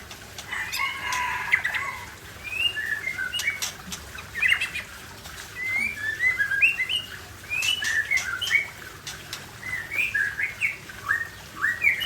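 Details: White-rumped shama singing in the forest at Cot Goh, Bireuen, Aceh, with varied whistled slurs and chirps at moderate distance, mixed with frequent sharp snaps and background rustle.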